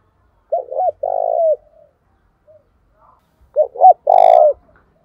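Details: Spotted dove used as a decoy, cooing to provoke rivals into fighting, in the 'thổ' voice style. Two phrases, each made of two short bent notes and then a long sustained coo. The second phrase ends with a brief higher note.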